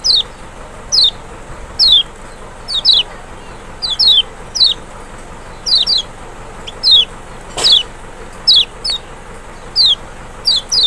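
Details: Zosterops chloris maxi, the Lemon-bellied white-eye or Kecial, in a trigger song to rouse a lazy bird: many brisk, high, downward-sweeping whistles, often doubled, repeated steadily, with one brief click and background hiss.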